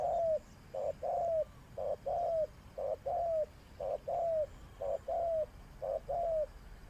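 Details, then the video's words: Spotted dove used as a trapping decoy, calling a steady repeated coo phrase, a short note followed by a longer falling one, about once a second throughout, over faint background hiss. "Sound Of Spotted Dove is so good"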